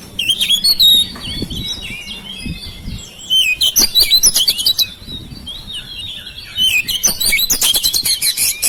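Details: House-kept oriental magpie-robin song used to coax mute birds into singing: bright whistles mixed with harsh chattering bursts, delivered in three loud spells separated by quieter gaps.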